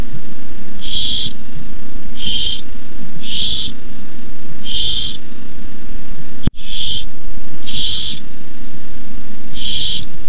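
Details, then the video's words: Barn owl owlets hissing at the nest at 9:57 pm on 18 May 2015 as an adult delivers a rabbit; seven harsh, breathy hisses, each about half a second, come at irregular intervals over a steady low hum, with one brief dropout. "Owlets hiss."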